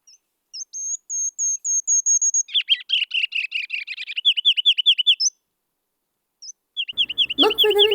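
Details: A Ruby-crowned Kinglet, a tiny spring migrant in southeast Saskatchewan or southwest Manitoba, April–May, sings its very loud song: a few thin, very high notes, then a loud run of rapid, bouncy, repeated phrases; a man's voice starts speaking at the end.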